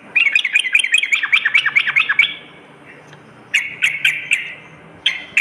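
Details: Rapid tumbling phrase from a sooty-headed bulbul at night, then a gap and a few spaced, harsher chattering notes.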